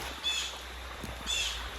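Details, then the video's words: A Blue Jay beside a river on the Fiery Gizzard Trail gorge in Tennessee gives two harsh, screeching jeers about a second apart over a steady rush of flowing water; the first heard in weeks. "I'm pretty sure that's a blue jay. I have not heard those in weeks."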